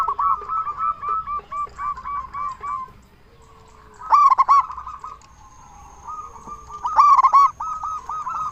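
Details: Local zebra dove with a big voice, cooing to lure other zebra doves into answering; a long rolling run of quick notes, a pause, then two loud bubbling bursts a few seconds apart amid softer coos.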